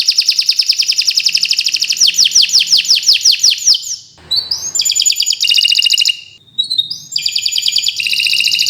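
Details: Canary singing a long, vigorous 'gacor' song used as a master recording to tutor birds that have stopped singing: rapid high trills, a series of descending swept notes, a brief noisy break, then buzzy rolls and rising chirps.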